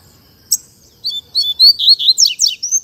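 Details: Double-collared seedeater of the Mack fibra song style: a quick run of high, clear chirped and slurred notes, accelerating into rapid descending sweeps, over faint background noise.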